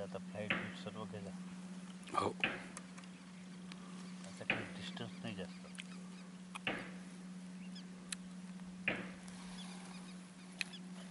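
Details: River tern (Sterna aurantia), male and female with small pratincole, giving harsh, rasping, grating calls, single or paired, about every two seconds over a steady low motor-like drone.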